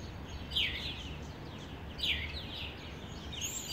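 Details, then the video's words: Morning bird chirps in Addis Ababa, Ethiopia: two clear, high, down-sweeping chirp phrases about a second and a half apart, with fainter chirps between and a constant low hum of city noise beneath. "Birds chirping in Addis Ababa, Ethiopia"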